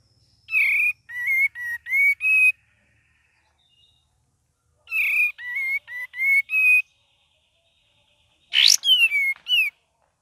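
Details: Cream-vented bulbul singing gacor-style with ngeriwik variations: two matching runs of five bright whistled notes, each slurred and stepping slightly upward, then a sharp chip followed by descending whistles.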